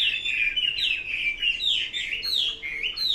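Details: Loud, rich whistled song of a Chinese hwamei, a continuous flow of sliding, looping notes with quick changes in pitch over about three seconds, the bird sounding clearly and close.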